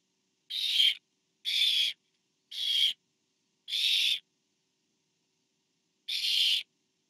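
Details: Barn owl nest scene from 24 September 2015, with a parent bringing food to the fourth owlet: four rapid, breathy, rasping screeches about a second apart, a pause, then a fifth.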